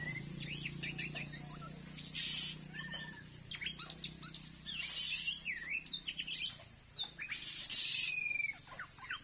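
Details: Wild Oriental magpie-robin in Indonesia, caught on a glue stick in front of a house, still singing and challenging a decoy bird: varied clear whistles and rising and falling slurred notes, with bursts of broadband rustling noise and a low hum.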